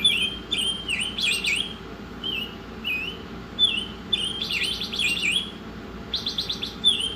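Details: Masteran song of an Oriental magpie-robin: bright dipping whistles strung together, broken by several dense rattling trills, lively and continuous against faint background hum.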